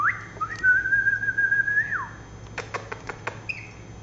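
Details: Lory parrot giving a long clear whistle: a rising start, then a steady high tone held for about a second and a half that drops at the end, followed by several sharp clicks and a short thin note, over low room hum.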